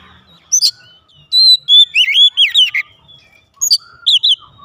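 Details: Caged oriental magpie-robin responding at once in loud song, a run of rich, looping whistles and buzzy swoops through the middle, opening and closing with brief sharp chips.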